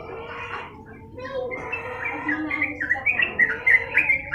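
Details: Sooty-headed bulbul (trucukan) in full, long-lasting song for a tutor recording: bubbly, whistled notes near the upper middle range, starting soft and growing into loud, quick repeated warbles with short slurred phrases.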